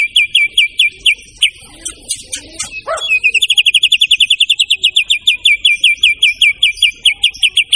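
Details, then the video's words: Murai batu, white-rumped shama, singing in long chip series: sharp high notes repeated about two to three per second, a brief lower slurred note midway, then a quicker steady run. "suara burung murai satu ini"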